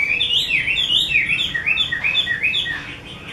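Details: Chinese hwamei, 'mơ' type, an artisan keeper's bird praised as a fine singer, giving loud rolling whistled loops that dip and rise about two or three times a second in a continuous clear phrase.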